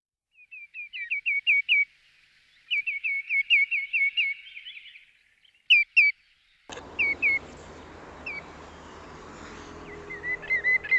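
Common Greenshank giving ringing, down-slurred whistled notes in quick runs of four to six, repeated in bursts; steady wind or rushing noise comes in partway through.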